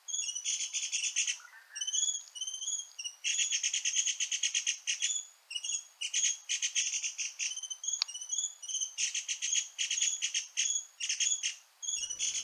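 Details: A feeding flock of Dark-backed Sibias at Doi Lang, Chiang Mai, Thailand, on a cold day, keeping up a busy, high-pitched racket of rapid buzzy bursts and short squeaky notes, almost without pause.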